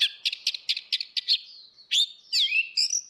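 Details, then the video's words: Orange-headed thrush, female and male, singing in open ngeplong style as a lure for birds that will not sing: a fast series of about ten sharp chirps, then separate rising and falling whistled phrases. "SUARA ANIS MERAH BETINA VS ANIS MERAH JANTAN NGEPLONG || PANCINGAN ANIS MERAH MACET"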